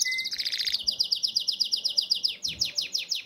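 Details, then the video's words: Singing canary in breeding condition, calling the female: a short pure whistle, then a long run of sharp, rapidly repeated chips about six per second, shifting to slightly lower, slurred notes near the end. "CANZONE DEI CANARINI"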